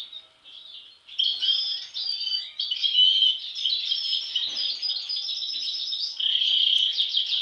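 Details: European goldfinches, all brothers, two showing an abnormal mask from birth; after a faint opening, a loud steady stream of tinkling twitter, buzzy trills and liquid chirps carries on to the end.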